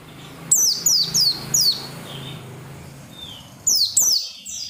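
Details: Persistent oriental white-eye singing intended to draw song from other white-eyes: a run of four sharp, high, falling whistles, a lull with a faint softer note, then two more slurred whistles.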